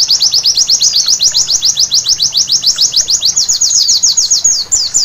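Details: Nighttime white-eye song, a steady run of sharp high notes each sliding downward, repeated about three to four times a second without pause for the whole stretch; no other sounds stand out.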